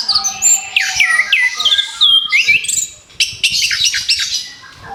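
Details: Orange-headed thrush newly through its moult, in a recording played to restart its singing: repeated upward-swept whistled notes about every half second, then a dense burst of sharp chattering phrases.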